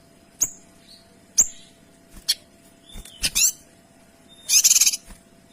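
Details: Kinoy singing in tight, clear shots: several sharp high snapping notes and short slurred whistles, then a loud pulsed rattle burst near the end.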